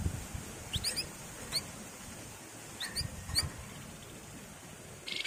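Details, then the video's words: Javan fulvetta (wergan jawa, flamboyan): short sharp upslurred chip notes, single or in quick pairs, scattered across a few seconds over a steady hiss, with a brief buzzy burst at the end. "BURUNG WERGAN JAWA GACOR Nyiul, nyuling, Ngebren/ Flamboyan Gacor"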